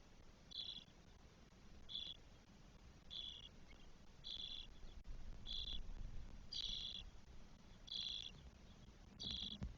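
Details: Four Spotless starling nestlings, twelve days old, in their nest in Spain on 1 June 2022, giving short raspy hissing calls, each about a third of a second long, roughly every 1.3 seconds, over a low background rumble.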